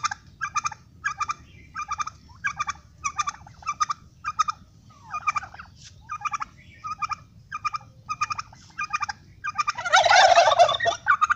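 A turkey gobbles in rapid, rattling bursts of harmonic notes, about two a second, ending in a louder, harsher outburst over low background rumble.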